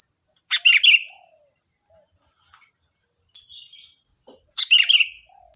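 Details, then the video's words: Sooty-headed bulbul, a loud ringing singer kept for training other birds, gives two short bursts of bubbly warbled notes about four seconds apart over a steady high insect drone. "Suara burung Kutilang Gacor || Nyaring dan keras cocok untuk masteran"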